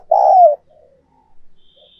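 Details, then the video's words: Decoy spotted dove for stimulating cooing: one loud, low, slightly falling coo lasting about half a second, followed by faint soft murmurs. "Tiếng Chim Cu Mồi Mp3/ Âm Thanh Chất Lượng Cao Dùng Kích Bổi Siêng Gáy"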